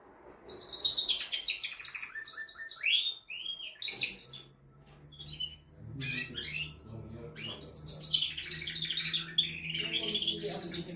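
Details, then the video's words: Male canary singing to stimulate a female to mate: bursts of high twittering trills and chirps separated by short pauses, with a low hum in the background. "تغريد طائر كناري جبار يحفز الذكر ويهيج الأنثي لتزاوج"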